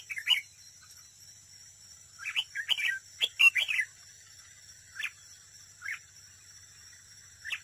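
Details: Red-whiskered bulbul used as a decoy for trapping, singing against a rival: a string of bubbly warbled phrases, then single sliding chirps about once a second, against a steady high thin drone.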